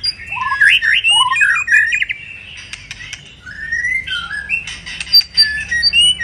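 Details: White-rumped shama, in moult, gives clustered fluty slurs and rising whistles, then softer drawn-out whistled notes and faint clicks.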